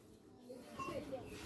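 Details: Seven-year-old talking common hill myna in Bandarban that speaks fluently: a brief, voice-like phrase with speech-like tones in the second half, over a steady background hiss.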